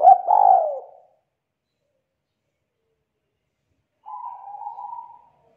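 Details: Loud, thick-voiced song of a young forest-caught spotted dove: a short double coo with a swooping note, then silence and a long level hum-like coo starting again.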